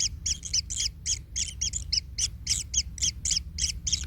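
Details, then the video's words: Kingfisher chicks in a nest with a parent stepping on them: harsh rasping notes repeated about three to four times a second in a fairly steady rhythm over a soft low hum. "Anak Tengkek Terinjak Induknya Hingga Kesakitan - Baby Kingfisher bird nest"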